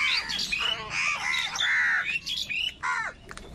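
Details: Crows in a big wild group competing for food give hoarse, drawn-out squawking cries that bend up and down, several voices overlapping.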